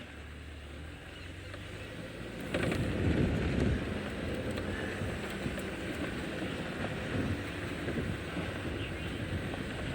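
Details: A steady vehicle engine drone and wind rumble during an early-morning safari drive, growing louder after the first two seconds, with no animal voices.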